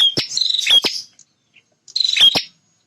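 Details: Male bar-winged prinia in territorial song: two rasping, buzzy bursts with sharp clicks, a second of near-silence between them.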